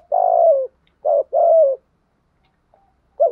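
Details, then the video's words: Spotted dove cooing, played as a lure to stimulate decoy doves. A long burred coo, a short coo, then another long falling coo. After a pause, a further phrase starts, against a silent background. "tiếng chim cu gáy mồi kích bổi và mồi hiệu quả nhất hiện nay giọng bài bản/ thúc gù chim cu đất"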